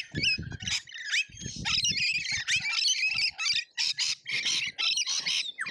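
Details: Feeding frenzy of lorikeets at an Australian feeder, filmed by a feeder camera: dense, overlapping harsh screeching and chattering that runs almost without pause, with some low thuds early on.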